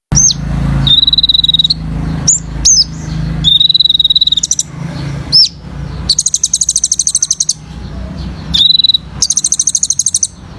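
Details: Kolibri ninja sunbird in full active song, a training track for young birds; sharp downward-slurred whistles at high pitch alternate with long steady buzzy trills and rapid machine-gun rattles, over low background hum.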